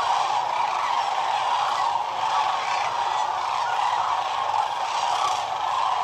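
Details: Sandhill cranes by the hundreds of thousands along the Platte River, recorded from a photography blind during northern migration; a continuous, loud chorus of rolling, bugling calls with slight surges every second or so.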